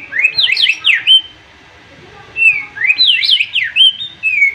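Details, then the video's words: A white-rumped shama in a singing contest sings two rich bursts of rapid, looping whistles, sweeping up and down, each ending in a clear ringing note; its sharp, over-excited song is said to provoke rivals into answering and singing. "MURAI BATU OVER EMOSI DENGAR TEMBAKAN nya"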